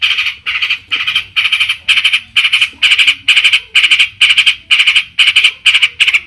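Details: Long-tailed shrike song meant to make other shrikes sing back: loud harsh grating bursts, each split into quick pulses, repeated steadily about twice per second throughout.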